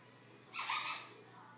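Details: A captive Congo African grey parrot lets out a single short, harsh, hissy squawk with a faint lower tone beneath, against a low indoor hum.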